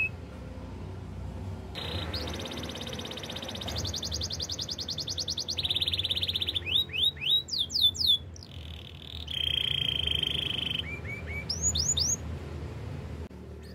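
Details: Canary training song with long sustained trills at different pitches, fast high rattles and bursts of looping swooping whistles, over a faint background hum.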